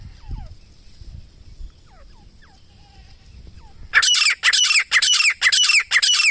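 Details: Grey francolin calling in jungle, called teetar or gora teeter locally; faint descending whistles at first, then from the fourth second loud harsh rasping notes repeated about twice per second with rising inflections.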